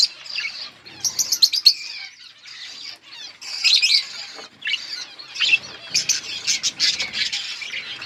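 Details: Chirping budgies: quick high trills and buzzy warbles in separate bursts, some rapid ticking notes early, the chatter growing denser toward the end.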